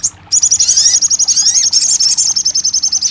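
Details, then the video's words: ['Crested jay giving a continuous, very high, rapid metallic trill of evenly pulsed notes, steady for about three seconds, with a few faint down-slurred whistles beneath it'] "TERAPI RAJANYA SOGON MACET BUNYI"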